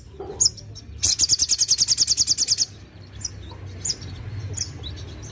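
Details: Sogon singing at full strength to stir up other sogon: a few high chips lead into a rapid, regular trill of about fifteen bright notes, then scattered thin chirps with a low hum underneath.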